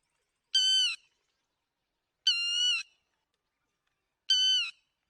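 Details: Yellow-wattled lapwing lure call for net trapping: three loud, nasal, harmonic notes, each about half a second long, spaced roughly two seconds apart, in silence.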